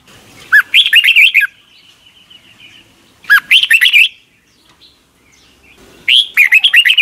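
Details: Red-whiskered bulbul song, played each morning for young caged birds to learn; short bright phrases of rising and falling whistled notes, repeated about every three seconds, with quiet pauses between.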